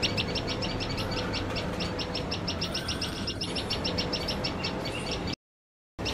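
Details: Alarmed by cats while feeding its chicks, a common tailorbird calls a fast, insistent series of sharp high chips, nearly four per second, continuous for five seconds before a brief cut, with low background hum.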